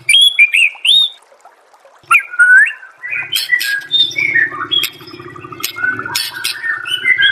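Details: White-rumped shama master song meant to prompt other shamas to sing: varied whistled phrases that slide up and down, sharp high clicks, and a low steady buzz underneath in the second half.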